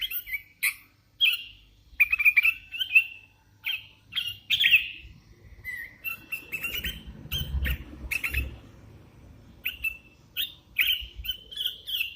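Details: Hand-reared sooty-headed bulbul singing busily, short whistled and chirped notes scattered throughout, with rustling and fluttering noises in the middle.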